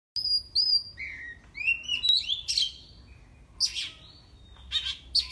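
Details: Caged oriental magpie-robin kept by an owner in Indonesia, singing to provoke rival birds: varied sweet whistles, some slurred upward and some falling, mixed with short scratchy chirps and sharp bursts, delivered in irregular phrases.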